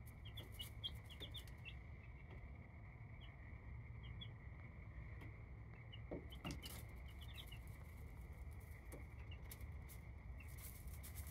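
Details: Baby chicks in their coop give thin, high, short peeps scattered irregularly across the recording, with a few brief bursts of several together, all fairly faint over a steady electrical hum and heavy low rumble.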